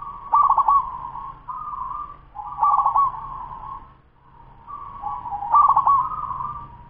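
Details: A 10-month-old zebra dove of local stock delivers rapid cooing: bursts of quick pulsed notes flowing into steady mellow tones, three phrases with a faint low hum underneath.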